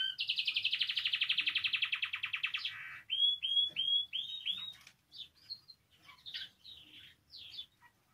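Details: Caged canary singing, song used to stimulate other canaries to sing: a long fast buzzy trill of rapid repeated notes for nearly three seconds, then a series of clear descending whistled notes and scattered chirps, indoors.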